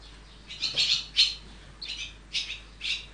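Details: Barn swallow chicks being raised in a nest: short bursts of high, raspy, buzzy chirping come in clusters about every half second, pausing briefly between bursts, over a low steady background hum.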